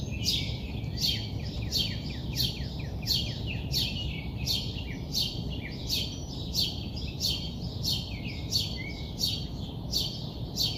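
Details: Early-morning bird giving quick falling chirps in a fairly regular run, about two per second, over a persistent low background drone.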